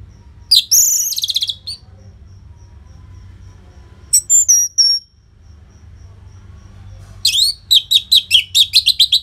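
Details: Singing Orange-headed thrush, used as a lure to get other caged birds singing. A high buzzy trill and a short whistled phrase are followed by a fast, evenly spaced string of sharp downslurred notes.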